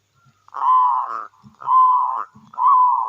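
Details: Local wild zebra dove from Indonesia, a lively singer used as a lure to draw other doves into song: three burry, rolling cooing notes at a steady mid pitch, each under a second, with soft low thumps between them.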